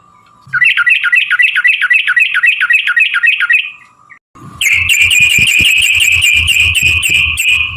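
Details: Yellow-vented bulbul lure song, gacor style: a steady rapid series of evenly spaced bright chirps, a brief silence, then a dense high chatter over a louder noisy rumbling background.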